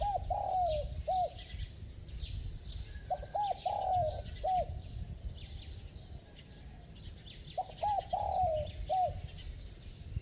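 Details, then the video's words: Spotted dove cooing: low, mellow hooting notes in clusters of three to four, with pauses of about two seconds between groups, over a steady background hiss. "Tiếng Chim Cu Gáy Giọng Chuông, Kèm Thúc Gù Tốc Độ"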